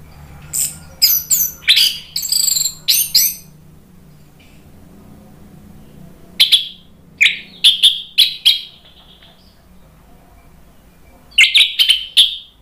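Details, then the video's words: Orange-headed thrush singing a lure phrase for other birds to answer, ngeplong style: a fast tumble of looping high notes, a long pause, then clear dropping whistles and another brisk burst. "PANCINGAN ANIS MERAH biar ikut NYAUT jadi BUNYI GACOR NGEPLONG"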